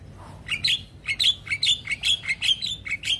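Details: Javan myna reacting with sudden stress after hearing another Javan myna's call: about a dozen short, sharp chirps with bent, whistled tones, given in quick uneven succession over three seconds against a faint low hum.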